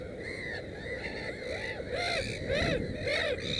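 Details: Black-headed gull beside a nest holding three chicks gives harsh, rasping arched cries that grow louder and come roughly twice a second, with fainter calls from other birds and low rumble behind.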